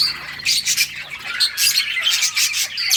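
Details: Colony of colorful budgerigars playing, recorded August 25, 2023: dense, overlapping high chirps and squawky warbles in bursts about every half second, swelling and fading with no pause.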